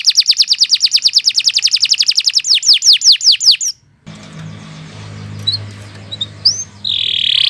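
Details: Canary singing long, continuous song for tutoring: a rapid high trill slowing into falling slurred whistles, then a break with low rumbling background noise and scattered chirps before a buzzy note.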